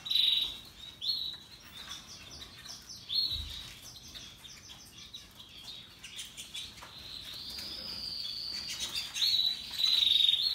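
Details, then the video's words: Several canaries, Russian yellow and Timbrado types, singing happily; high trilled phrases come in bursts with brief pauses, and a long steady whistled roll builds near the end, over low background noise. "Canaries Paradise Song Sound"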